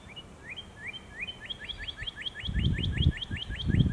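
Northern Cardinal song: a series of clear, rising whistled slurs that speed up into a rapid run of about a dozen notes, with low wind rumble near the end.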